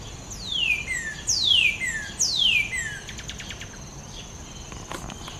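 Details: Northern cardinal (Cardinalis cardinalis), song.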